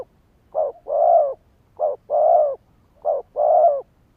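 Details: Spotted dove lure call, used to trigger wild birds and train decoys. Three paired coos: a short clipped note, then a longer, drawn-out mellow coo, each pair about every 1.2 seconds. Quiet background.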